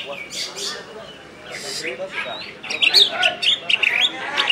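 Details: Greater green leafbird from West Kalimantan (Kalbar), a kept songbird, in nembak style: soft, scattered notes at first, then a loud burst of sharp, shrill, chopped whistles and chirps in the second half.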